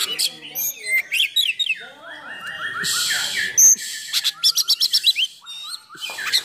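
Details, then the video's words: Oriental magpie-robin singing hard to provoke and train other magpie-robins: sliding whistles, harsh rasping bursts and rapid stuttered chips, with some background voices. "Kacer Gacor Full Nembak Isian Kasar"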